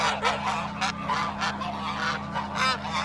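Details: Swan goose attacking: separate nasal honks and short rising squawks come in uneven bursts roughly every half second, softer and more spaced than a dense chorus, over a steady low hum.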